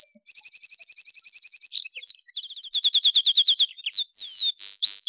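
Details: Male Atlantic canary singing: a fast, even trill of high chirps, then a buzzy flourish, a second run of louder rolling notes, and finally long, pure, whistled tones.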